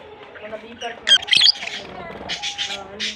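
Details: A pair of lovebirds, one blue and one white albino, gives loud harsh squawks, then bursts of buzzy chatter, with faint voices in the background.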